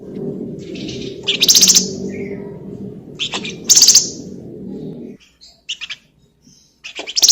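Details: Golden-bellied gerygone, a lively singing bird used as a lure to prompt other birds to sing, giving short harsh buzzy chattering bursts repeated every two seconds or so, with faint thin notes between and a low steady hum underneath.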